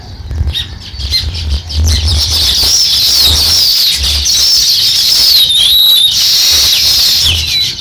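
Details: Busy, high-pitched sparrow chirping with quick rising and falling squeaks, heard while the bird begins nest building, with soft low thuds underneath.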